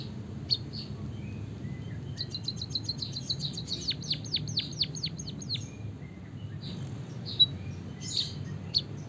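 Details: White-headed munia from Java singing long canary-style song to stimulate other birds: sparse high chirps, then a rapid trill turning into a run of descending whistles, followed by scattered softer notes and quiet background.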